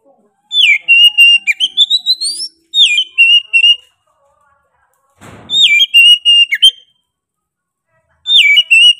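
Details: Oriental magpie-robin in fierce 'gacor' song, repeating a similar whistled phrase four times, each a falling slur into quick notes and climbing whistles, with a short scraping noise between phrases.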